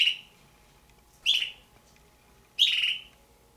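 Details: Two captive juvenile red-billed hornbills, owner suspects Damaraland subspecies, give three short, harsh, fairly high squealing calls, about one every 1.3 seconds, against a quiet background; Damara red-billed hornbill.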